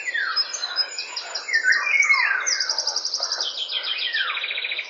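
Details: Eurasian golden oriole singing at a quarter past eight in the morning, giving mellow descending whistles, while several other birds overlap with fast, high-pitched repeated trills and sharp chirps.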